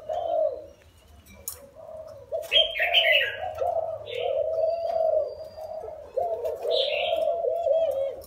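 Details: Deep, breathy cooing from a spotted dove that was caught wild and has been caged four years. The notes run in long linked phrases, while a nearby bird chirps brightly several times and a low hum persists.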